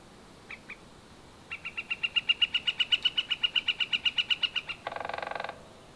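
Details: Northern flicker opening with two soft notes, then a steady series of about twenty ringing, repeated call notes that swell and fade, ending with a brief, rapid burst of wood-pecking.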